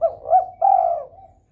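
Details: Single phrase from a spotted dove in breeding mood, calling to stimulate rivals: two short hooting notes lead into a long, smooth, gently falling coo that fades away.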